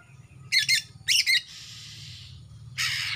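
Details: Harsh buzzy chattering from a young male Kalimantan greater green leafbird that has moulted out of its spotted juvenile plumage: two quick rasping double bursts, then a drawn-out hiss and another grating note.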